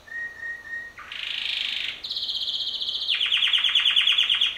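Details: Male canary that flew freely in and out of an outdoor cage with his mate, singing: a thin steady whistle, then a buzzy high trill, a brighter rattling phrase, and a fast rolling trill repeated several times per second.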